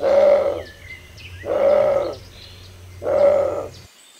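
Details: Bare-throated tiger heron in Costa Rica giving three hoarse, rasping roars, each about half a second long and repeated roughly every one and a half seconds, with faint whistles from small birds in the background.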